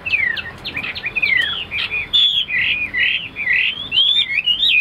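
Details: Chinese hwamei, a tamed cage bird, delivering varied slurred whistles: descending strokes first, then a flowing chain of warbled loops that sweep up and down without pause.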